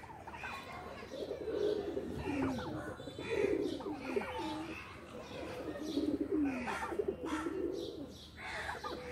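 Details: A loft of playing pigeons fills the air with overlapping low coos and murmuring, warbling phrases, with faint chirps above.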